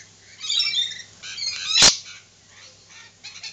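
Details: Lorikeets screeching in rasping, buzzy bursts, interrupted by a sharp broadband clatter midway, then quieter scratchy chatter toward the end over a faint low hum.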